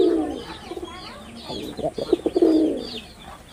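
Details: A fading coo followed by a fresh phrase from a male red-bordered wild pigeon: stuttering throaty pulses that swell into a long, low, vibrating note, with faint chirps around.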